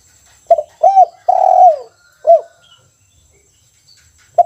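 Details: Spotted dove kept in a cage cooing in kuk 1 style: a low soft phrase of short hooked notes and one long, falling coo, then a pause and a final note, over a faint constant high hum.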